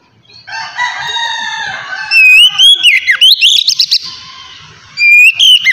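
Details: Oriental magpie-robin song played to stimulate other magpie-robins to sing: a soft layered opening, then loud whistled slurs and quick repeated notes, another bright phrase at the end.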